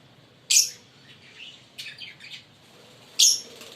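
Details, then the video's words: Pair of green Fischer's lovebirds: two piercing high chirps about three seconds apart, with softer twittering notes between them. "Lovebird singing & Chirping Sound"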